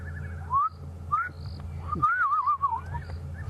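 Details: A Fiery-necked nightjar calls at sunset on October 5 during a safari drive, with maybe 4 or 5 calling around. It gives short rising whistles, then a long quavering whistle that tumbles downward, over a low vehicle engine rumble.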